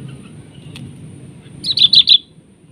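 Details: Sooty-headed bulbul duelling a decoy bird during trapping. After faint background notes, four loud, bright chirps come in quick succession.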